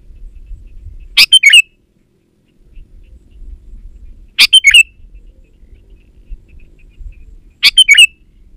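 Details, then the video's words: Sooty-headed bulbul lure recording meant to draw wild bulbuls and stir reluctant ones: three identical short phrases spaced roughly three seconds apart, each a crisp burst then two or three chirpy slurred notes, over quiet low hum. "Suara Burung KUTILANG GACOR Untuk Pancingan Ajaran Pikat BURUNG KUTILANG Malas Bunyi di Kebon"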